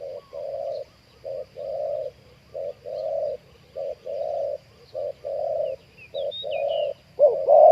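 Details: Decoy spotted dove calling to draw wild doves toward a trap: low hooting coos repeated in short and longer notes about every second, with a faint high chirp from another bird near the end.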